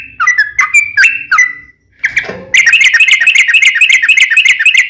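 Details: Fighting song of a sooty-headed bulbul, used to provoke other bulbuls to answer: a few separate slurred whistles, a brief gap, then a fast steady run of chattering notes.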